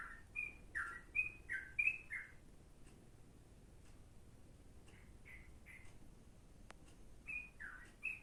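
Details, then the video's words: Yellow-vented bulbul song, suited for tutoring a sooty-headed bulbul: two short bursts of chirpy, slurred whistles with a quiet gap between them, plus one sharp click, over a faint steady background hiss. "burung trucuk cocok buat isian kutilang"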